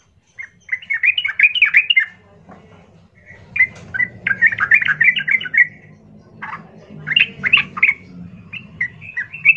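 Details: Loud, harsh Yellow-vented bulbul song used as a lure to make other bulbuls answer emotionally: bursts of quick bubbling, gurgling notes separated by pauses, over a steady low background hum.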